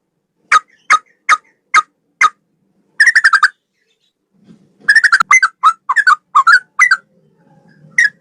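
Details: Male yellow-vented bulbul song: five spaced single chirps, then fast bubbly bursts of short notes, with a faint low rustle between phrases.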